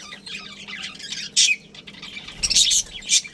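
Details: A budgerigar breeding pair within a colony: soft murmuring chatter, then a loud harsh squawk near the middle and a cluster of sharp, piercing chirps toward the end.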